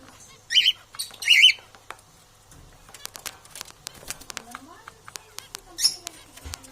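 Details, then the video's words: Parrots competing for survival give two loud, harsh, rasping squawks in quick succession near the start, followed by scattered clicks, tapping and faint rustling with a low sliding tone in the background. "Competition for survival Parrot"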